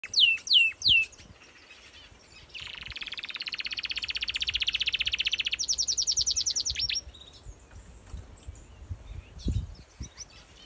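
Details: Canary singing in an aviary: three sharp swooping notes open, then a long fast buzzy trill that shifts into a higher rapid rattle before fading, with a few soft chirps near the end.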